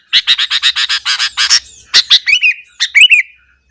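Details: Sooty-headed bulbul singing hard in the morning to provoke other bulbuls: a fast run of bright, repeated chirps, then a few warbled, gurgling phrases of clear slurred whistles.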